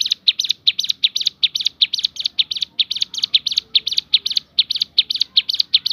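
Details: Javan sunbird performing the shooting variation: high, sharp notes fired off in quick, rhythmic succession, about two and a half per second.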